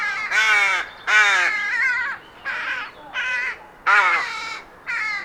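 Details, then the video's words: A Rook (Corvus frugilegus), recorded in the wild, gives six harsh, hoarse caws, some longer and some clipped, at an uneven pace of roughly one a second. "Rook Sound – Song & Bird Calls"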